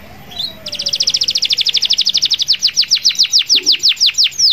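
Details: Canary singing vigorously with a long rolling trill to call rivals. A rapid string of high, clean notes starts fast, then slows into longer, downward-sweeping whistles, about three each second, with a faint lower whistle at the very start.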